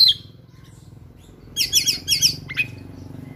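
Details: Oriental magpie-robin singing in combat mode with a song full of fills. A brief high whistle, a pause, then a rapid series of loud buzzy chattering bursts and a sharp rising note.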